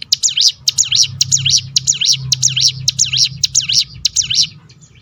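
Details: Rapid 'tembakan' roll of the ciblek gunung, a prinia, played to lure other birds into song: steady bursts of shrill, swooping up-down notes, roughly two per second, loud and even throughout.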